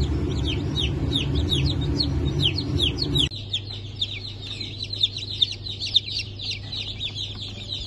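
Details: A brood of Cream Legbar and Rhode Island chicks hatched on 29 August 2024 cheeping: rapid high downward-sweeping peeps, about two or three per second, while a low hum stops after three seconds and the peeps ring out clearer.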